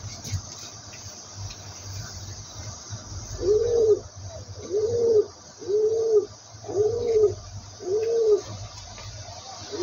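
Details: A pigeon repeats five low, soft, arched coos at about one per second after a quiet start, with a steady low background hum.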